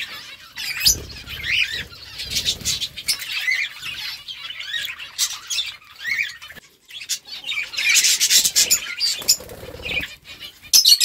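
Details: Several budgerigars chatter together, giving squawky, rasping calls and rapid twittering phrases, with loud bursts of fluttering wings near the start and again around the middle.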